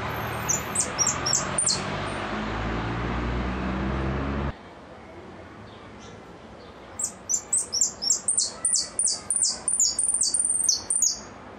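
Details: Goldfinch giving repique song: an opening flurry of high chirps, a pause, then a crisp series of loud, high, down-slurred notes repeated about twice a second, with steady background hiss.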